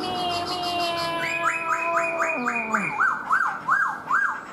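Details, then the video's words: Song of a caged black-throated laughingthrush performing its singing display with tail spread like a fan: steady tones give way to stepped whistles and a series of arched, looping notes repeated five times. "KHƯỚU BẠC MÁ HÓT MÚA ĐỈNH CAO - ĐUÔI XÒE NHƯ CÁI QUẠT"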